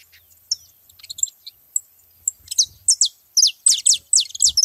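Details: At a feeding spot with several saffron finches, scattered short chirps build into an accelerating series of bright, high, descending notes that fill the final two seconds, with faint low bumps.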